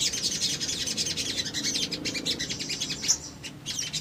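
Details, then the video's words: Dense, continuous high twittering and ticking from a little spiderhunter, used as a lure song to get silent birds to answer, with one brighter sharp note near the end. "PASTI RESPON❗ PANCINGAN CEPAT MACET BUNYI SOGON BAHAN IJOAN"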